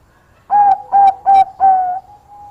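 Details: Zebra dove of the Bangkok perkutut type, singing actively and said to lure rival birds with its voice, gives four loud, clipped mid-pitched coos in quick succession. A softer, steady tone trails off afterward.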